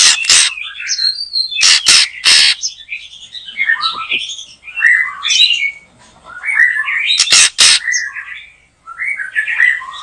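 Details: Backyard white-rumped shama during bird trapping, in full song. Dense scratchy warbling and whistled slurs run throughout, punctuated by loud harsh bursts in pairs.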